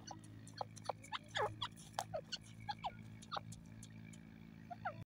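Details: Grey partridge calling in a forest: a rapid string of short, sharp, downward-sliding notes, irregular and partly overlapping as if from more than one bird, over a steady low hum.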